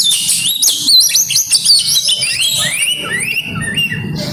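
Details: Oriental magpie-robin, song full of imitations, rapid bright whistles and chattering notes, then a descending series of slurred whistles, over a low background rumble.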